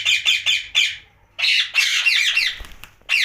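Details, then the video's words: Pet ringneck parakeet at night, giving repeated harsh, raspy squawks in two bursts separated by a short pause, with a faint low hum underneath. "Night Talking parrot Mitthu Ringneck"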